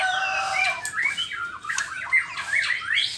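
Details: White-rumped shama (murai batu) in the morning giving a quick run of harsh, sweeping slurred notes, up and down in pitch, some squawk-like, in a dense rapid sequence.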